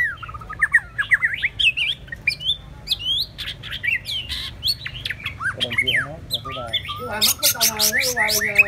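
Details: White-rumped shama, one of two birds, pouring out a rapid, varied song of swooping whistles, chirps and warbles, then lower buzzy, nasal phrases and a final flurry of sharp high notes.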